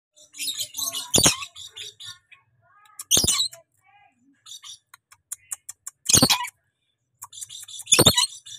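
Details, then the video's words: Tame, very talkative pet rainbow lorikeet giving four harsh, loud screeches spread over several seconds, with soft scratchy chatter and faint clicks between them. "BURUNG NURI PELANGI JINAK BANGET LUCU GACOR POOL"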